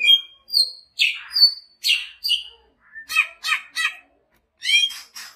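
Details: Big-bodied caged greater green leafbird from Banyuwangi singing steadily: varied bright whistled phrases and slurred notes, then bursts of quick buzzy rattling chatter in short clusters.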